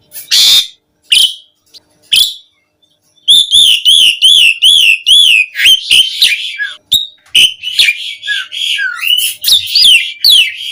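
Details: Asian pied starling song used as a lure to get starlings singing: loud whistled notes and rapid wavering, chevron-shaped phrases, with harsh buzzy bursts and varied chattering notes mixed in.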